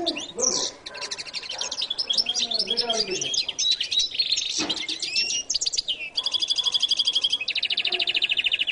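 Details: Jilguero latino (goldfinch) singing a long, varied, rapid song of bright twittering notes, trills and short whistled slurs, ending in fast buzzy repeated note series; second part of the recording.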